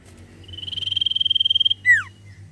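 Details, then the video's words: Common iora (sirtu) calling steadily to coax quiet birds into song: a long even rattling trill that builds in volume, cut off by one loud falling whistle. "sirtu cipoh gacor cocok pancing burung macet bunyi"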